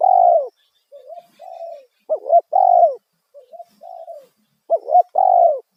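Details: Spotted dove lure call, loud 'kuk satu' style, meant to draw wild doves. Loud two-part coo phrases, each a wavering double note then a long descending coo, alternate with softer, lower coo phrases.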